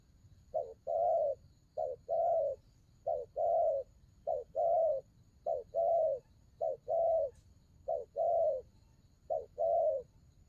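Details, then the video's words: A spotted dove in đồng gù cooing gives about eight rhythmic low phrases, each a short note then a longer mellow coo, one phrase per second or so. A quiet steady hum continues throughout. "Đồng gù rước tốt"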